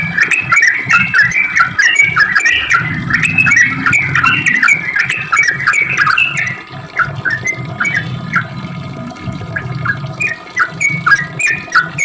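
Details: Sooty-headed bulbul song meant to draw answers from other bulbuls: busy burst of warbled chatter for about six seconds, then sparser short chirpy notes spaced apart, with a low droning hum throughout.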